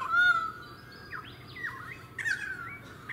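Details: Pied currawong in suburban Sunshine Coast, Queensland, in February 2018: a clear drawn-out whistle opens, followed by softer slurred notes and a short bright call near the end.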